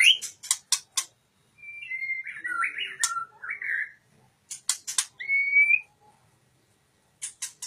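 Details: Oriental magpie-robin giving sharp ticks, then a run of varied whistled and warbled notes, a short rising whistle, and more ticks after a pause.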